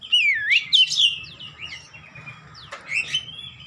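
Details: Oriental magpie-robin song meant to coax a silent bird into singing: looping whistled notes that dip and rise, then softer thin trills and a sharp accented note, with a constant low background hum.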